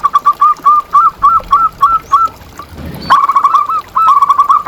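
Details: Zebra dove master song to train and lure doves: steady run of rounded coo notes about three per second, a short gap with low rustle, then a faster rippling phrase of notes.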